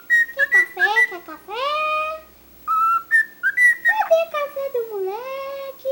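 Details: Talkative pet cockatiel mixing short clipped whistles with harmonic, speech-like syllables and rising sweeps, closing on a long wavering, dipping whistle.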